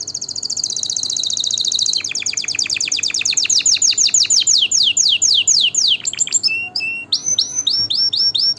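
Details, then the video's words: Canary singing a song for tutoring young birds and stimulating breeding. It opens with a fast, high rolling trill, then moves into a series of sweeping, descending whistled notes. It ends in shorter chirps and quick repeated phrases, with a soft background hum. "تغريد طائر الكناري روعة لتسميع غناء كناري"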